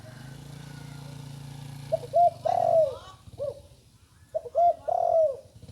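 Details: Spotted dove, a young bird just beginning to learn its call. A low steady hum fades out, then two mellow cooing phrases follow, each made of a quick double note, a longer sliding coo and a short clipped ending.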